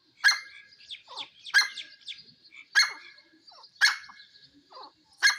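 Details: Grey francolin, locally called jungle teetar, giving loud harsh shrill notes about every 1.2 seconds, each followed by a run of softer, quicker chattering notes, in a steady repeated series.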